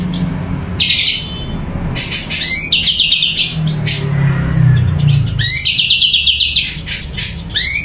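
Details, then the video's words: Sumatran leafbird (cucak cungko) in full song as a kept bird: bright whistled phrases, rapid trilled runs and quick rising sweeps separated by harsh broadband bursts, with a constant low rumble underneath. "Burung Cucak Cungko Super Gacor"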